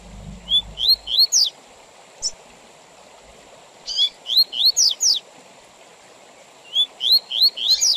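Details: Tui Tui Zel Zel song of a Double-collared seedeater, played with intervals for tutoring young birds and for contests: three rising whistles followed by quick descending high slurs, phrases repeated after silent gaps, faint steady tone behind.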